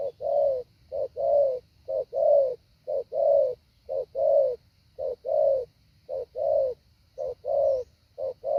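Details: Spotted dove kept as a training decoy, coos in a steady rhythm: each phrase a short soft note followed by a stronger low coo, about nine pairs in quick succession.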